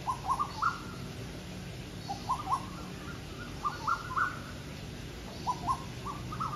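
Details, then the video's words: Asian koels call back and forth in short rising two- and three-note phrases near one kilohertz, every second or two, over a steady hum, at evening as several birds compete in song. "มาฟังเสียง นกกาเหว่า ร้องแข็งกันนะคะ"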